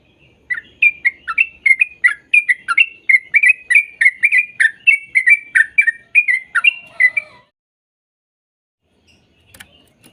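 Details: Rapid sooty-headed bulbul song, played to train young birds to sing: a run of bubbly chirped whistles for about seven seconds, then near silence.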